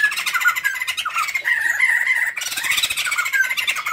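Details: Lively duet of a male and female white-crested laughingthrush, used as a lure at home: continuous loud, harsh, wavering cackling and chatter filling the whole four seconds.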